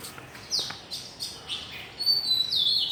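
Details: Morning birdsong greeting the day, with a run of short chirps about every half second, then a sustained high thin whistle and a sweeping descending note.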